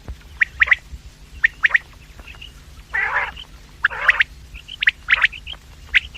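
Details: Quails calling, morning and evening sounds used for luring: sharp doubled notes at irregular intervals about once a second, with a longer harsh grating burst near the middle and a few softer chirps between.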